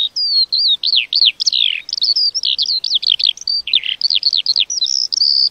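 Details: Lark pouring out a continuous high song of quick arched whistles and slurred chirps, repeated several times a second, with brief lower rasping dips; no other sounds stand out.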